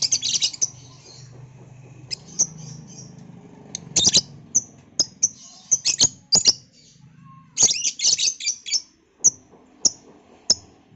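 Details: Lovebird calling noisily in the afternoon: repeated sharp, high, piercing chirps, some in quick clusters and others spaced about a second apart, over a faint low hum.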